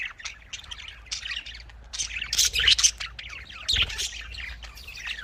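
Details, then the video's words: Budgerigar chatter from breeding birds: a steady stream of warbled, squeaky chirps and short squawks that run together, growing louder and busier midway through. "Australian parrot voice|Australian parrot ki awaz"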